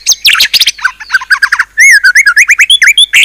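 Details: Fierce 'isian' fill song of a white-rumped shama: dense harsh chattered notes give way to a fast, even run of loud, looping whistles, several per second.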